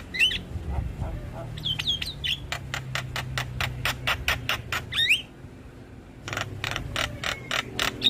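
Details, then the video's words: Javan myna singing in a lure recording for stressed mynas. Whistled slurs and harsh rasps lead into an even train of clipped, scratchy notes, then a pause and more chatter. "PAncingan Burung Jalak Macet Bunyi / Jalak Stres / Jalak Pikatan"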